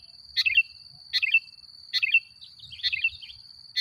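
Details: Sooty-headed bulbul lure song to provoke rival bulbuls: a short sweet chirruping phrase repeated about every 0.8 seconds, one slightly longer and more warbled, over a constant high-pitched whine.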